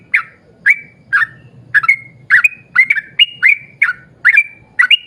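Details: Repetitive rapid song of a yellow-vented bulbul, played to draw other bulbuls into singing: about a dozen gurgled whistles, sparse at first and then quickening into paired notes. Soft low hum throughout.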